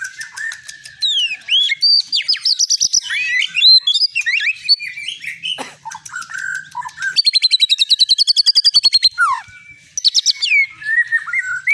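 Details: White-rumped shama of the long-tailed Medan type, a prize-winning caged songster, running through varied whistles and warbles, then a long, very fast rattling trill, then more rising whistled phrases.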